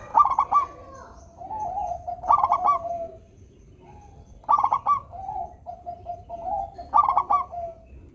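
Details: Local zebra dove, a frequent, melodious singer, used to coax lazy doves into singing: four phrases, each a burst of stuttered clicking notes followed by a long, level, lower cooing trill, repeated roughly every two and a half seconds.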